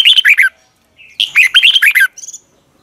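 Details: Morning song of a red-whiskered bulbul in the long double twisted voice style, used to train birds: a short run of lively warbled notes, a pause, then a longer bright chattering phrase ending in a few thin trailing notes.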